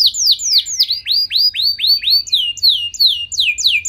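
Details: Canary in prolonged, ornate song said to provoke nearby canaries to sing back: a steady rhythm of arched, whistled notes, roughly four per second, each sliding down at the end.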